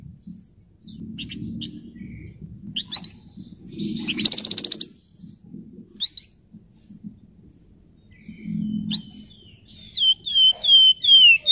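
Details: Flamboyan in full voice, sung for use as a lure: scattered short chirps, then a loud, harsh rattling burst, and finally a run of sweet, high, down-slurred whistled notes repeated about once per half second.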